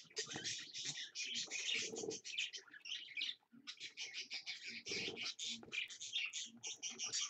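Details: Parakeet parent with two babies at 6 am: dense, busy chirping and chattering in rapid overlapping bursts, with short pauses between runs of calls.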